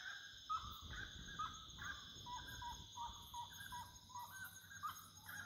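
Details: Wood rail song at nightfall: repeated mid-pitched clucking and rising notes over low rumbling background noise. A constant high-pitched insect hum continues throughout.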